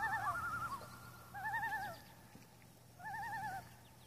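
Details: Common loons on Intermediate Lake on August 6, seven birds present; three separate quavering laughing bursts, each about half a second of rapid wavering notes, with quiet pauses between and a faint low hum.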